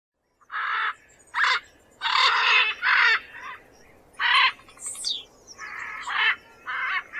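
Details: Macaw giving harsh, raspy squawks in a run of about nine bursts over seven seconds, some short and clipped, others drawn out, with faint thin whistles of other birds in the background.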